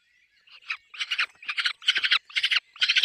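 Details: Peregrine falcon at the nest with chicks, building from a soft start into loud, rough, pulsed cackling bursts repeated about once a second.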